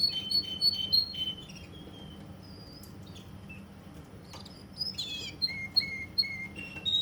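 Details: Russian canary kept in Kuwait: quick high chirps, a quieter stretch with scattered soft notes, then a bright rising flourish and repeated lower whistled notes.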